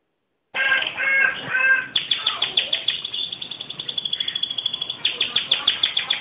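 A canary sings a bright run of warbled notes, then rapid, evenly pulsed trills repeated several times a second.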